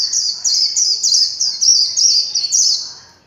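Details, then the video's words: Warbling white-eye singing líu chòe style, no background noise: a loud, continuous twittering string of quick high notes for about three seconds, fading at the end. "Tiếng chim vành khuyên líu chòe (không tạp âm)"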